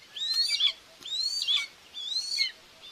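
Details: Common buzzard at a nest in Tiszalök, Hungary, on June 2, 2024, where the mother is feeding two chicks, filmed by a nest camera: three high, thin, arched whistled calls, each rising then slurring down, about one per second.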